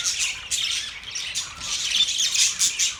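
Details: Budgerigars chattering in continuous high, scratchy chirps and squawks, dense overlapping warbles with short rasping notes, no pauses, a busy flock-like babble.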